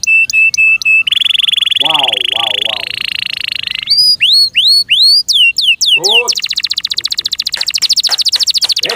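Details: A canary in its owner's care sings short clipped notes, a buzzy sustained trill, then upward- and downward-sliding whistles, ending in a rough high rattle, while a man calls out 'wow' in the background.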